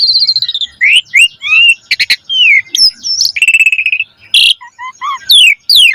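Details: Asian pied starling singing energetically with a rich varied repertoire, used as a lure to train caged starlings: rapid medley of rising and falling whistles, buzzy trills, a sustained fluttering note near four seconds, and harsh bursts between clear notes.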